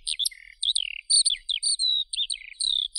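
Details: A brief stretch of Eurasian skylark song: fast, high, twittering phrases with sliding whistles, short trilled notes and clipped chirps tumbling together without pause.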